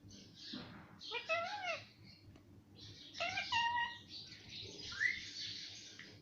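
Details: A pet parrot speaking mummy and papa: two-syllable, speech-like harmonic phrases, a pause, then another phrase, closing with a short rising squeak over steady room hum.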